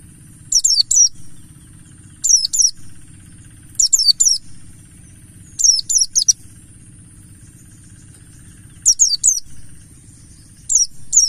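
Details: Wild-type buxtoni mountain white-eye singing as a lure: high, thin, downward-sliding whistles in pairs and triplets, with irregular pauses of one to three seconds and a low steady hum below.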